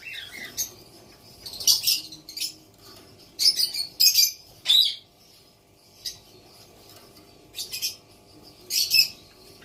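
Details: A baby female White cockatoo (Umbrella cockatoo) gives harsh, raspy, high screeches in short bursts, about eight in ten seconds and irregularly spaced, with quiet pauses between.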